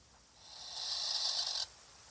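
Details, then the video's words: Strange noise on a barn owl live webcam: one harsh, breathy hiss that swells over about a second, then cuts off abruptly, over faint background hum. "Ruidos raros en la Webcam lechuza/Strange noises on the barn owl webcam"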